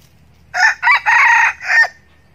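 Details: Red junglefowl decoy rooster crowing to attract wild males: a loud, full crow of four joined bursts, the long middle phrase strongest, closing with a short final note, with a low hum underneath.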